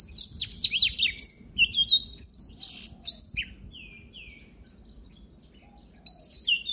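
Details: Oriental magpie-robin song used for voice training. Bursts of sharp high chips and short downslurred whistles come with pauses, then a quieter stretch of faint slurred notes, over a low steady background hiss.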